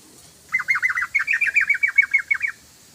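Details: Singing Yellow-vented bulbul, its song used as a lure for other birds: a rapid, evenly spaced chain of about sixteen bubbly, chirping notes lasting two seconds, loud and clean.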